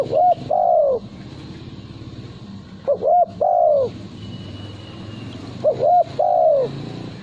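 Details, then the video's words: Male spotted dove kept as a songbird for contests, delivering three similar cooing phrases about three seconds apart, each a pair of short coos ending in a longer descending coo, over steady low background noise. "Derkuku Suara Bersih"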